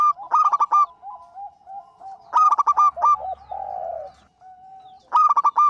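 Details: Local zebra dove song used as a lure: three bursts of fast rolling, bubbling coos about two and a half seconds apart, joined by softer, lower drawn-out cooing notes between them.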